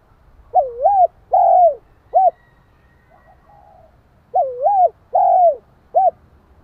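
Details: Spotted dove calling as a lure to stimulate another dove: two full phrases of a bubbling double coo, a drawn-out descending coo and a short final note, separated by faint murmured notes, with slight low rumble.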